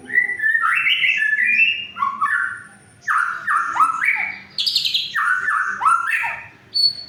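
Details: Shama song to get mute shamas singing: rich, varied whistled phrases rising and falling, delivered in several loud runs separated by brief pauses, with a single high note at the end.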